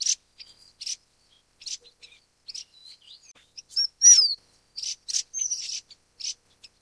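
Golden parrotbill giving very high, thin chips and short twittering notes in quick irregular bursts, with a few clearer whistled slurs; no other sounds.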